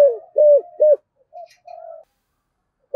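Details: Spotted dove with the 'giọng thổ' voice, played to prompt wild-caught doves. Three deep arched coos, then faint level hums and silence.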